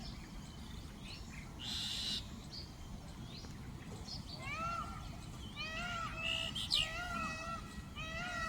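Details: Indian peafowl during a peacock dance display on a roof: after a noisy start, a run of loud, nasal, arched calls begins midway and continues to the end over a background hiss.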